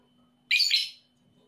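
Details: Lovebird call used to provoke sluggish lovebirds into singing: a single harsh, shrill, rasping squawk lasting about half a second, fading at the end, over a faint constant low hum.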